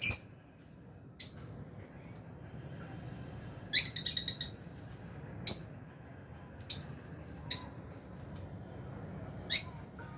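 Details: Lovebird flock of albino and Fisher's birds in an aviary at feeding time: repeated short, piercing chirps every second or two, one followed by a rapid stuttering trill of soft notes.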